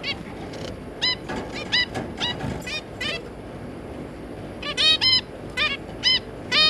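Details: Adult zebra finch pair and their three juveniles, 3 July 2022, exchanging many short honking, nasal calls, single and in quick doubles, growing louder and denser in the second half.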